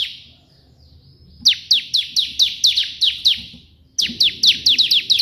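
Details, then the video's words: Ciblek, Bar-winged prinia, in 'tembakan' burst song, lively tutor recording: near silence for over a second, then a rapid string of piercing down-slurred notes, a brief break, and another quick burst. "burung ciblek gacor versi tembakan perenjak putih cocok untuk masteran"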